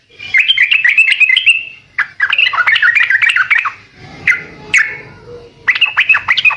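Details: Trucukan bird singing vigorously, a song meant to make other birds answer: loud chattering, warbled phrases of quick up-and-down notes, broken by short pauses and single sharp notes.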